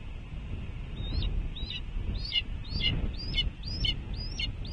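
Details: Red-tailed hawk, likely a nestling, gives thin, high, upslurred chips about two per second over steady low wind at a Cornell nest, 5 June 2021, 14:32.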